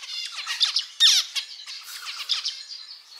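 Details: Male zebra finch (Taeniopygia guttata) singing a fast jumble of nasal, buzzy notes and quick downslurred chirps, rising to a loud burst near the middle, with no other sounds.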